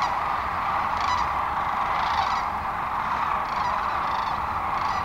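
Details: Thousands of sandhill cranes on the North Platte River, Nebraska, at dawn in late March 2012, heading to farm fields; steady overlapping chorus with rattling calls surging every second or so.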